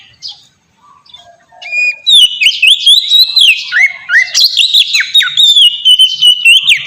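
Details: Melodious Oriental magpie-robin song for luring caged birds into song. A quiet start gives way to loud, rapid whistled phrases that dip and rise, with sharp high chips woven through.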